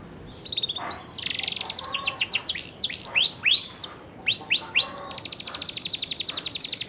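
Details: Young canary learning to sing, used as a lure to coax other young canaries into singing: varied rising and falling whistled slurs and buzzy notes, ending in a long fast even trill of repeated notes.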